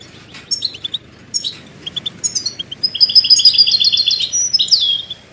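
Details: Goldfinch (European) song for songbird training: scattered high chirps build into a sustained rapid, tinkling trill with a downward-slurred note near the end, over noticeable background hiss.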